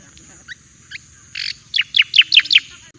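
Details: Javan white-eye song serving as training master material: a few faint chirps, a raspy buzz, then five loud, rapid, downward-sweeping high notes.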